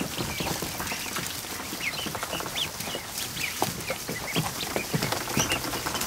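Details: Newly hatched ducklings, over a hundred of them, gathered in a kiddie pool in a barn during the afternoon; a busy chorus of thin, rising and falling peeps over constant splashing and tapping sounds.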